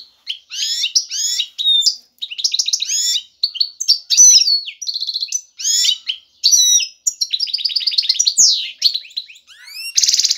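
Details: A male European goldfinch, ready to breed, sings excitedly to call and attract a female for mating and nest building. The song is a dense, fast run of bright twittering and chirping phrases with short buzzy bursts and brief pauses.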